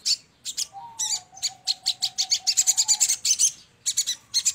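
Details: Crimson sunbird, known locally as sogon, heard in a lure recording: rapid sharp high chirps in clustered bursts, with a steady thin whistled tone running beneath for about two seconds.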